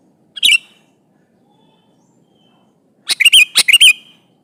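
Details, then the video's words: Sooty-headed bulbul singing to call an opponent: a lone chirp, a pause, then an energetic phrase of warbled, rolling notes lasting about a second. "Suara burung kutilang gacor memanggil lawan ini"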